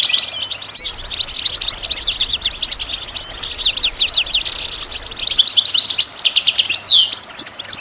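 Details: Pet goldfinch pours out a rapid, liquid twittering song of high tinkling notes and buzzy trills, running almost without pause.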